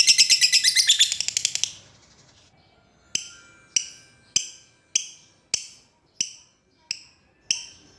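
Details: Lovebird calling toward an opponent, a quick shrill chatter lasting nearly two seconds, then a pause followed by single sharp high chips spaced about half a second apart.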